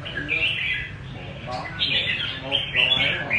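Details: Lively rê cau singing from a red-whiskered bulbul, with quick, slurred whistles rising and falling in tight clusters and a soft background murmur.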